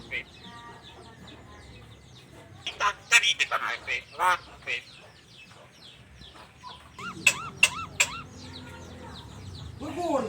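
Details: Talkative starling that whistles, laughs, coughs and copies chickens: a jumble of harsh chattering notes and clucking bursts, then bright looping whistled slurs repeated near the end, over a low indoor hum.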